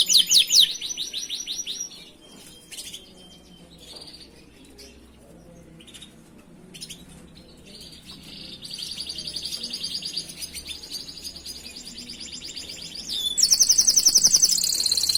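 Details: Canary master song for training other canaries: loud high trills at the start, then a long quiet stretch with soft scattered notes, before rapid trills return near nine seconds and a strong bright trill at the end.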